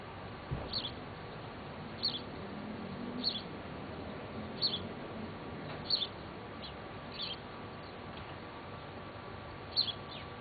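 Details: House sparrow female feeding a just-fledged young at Bad Sulza on 26 June 2009; short high chirps, often doubled, come about every one to two seconds over steady low background hiss.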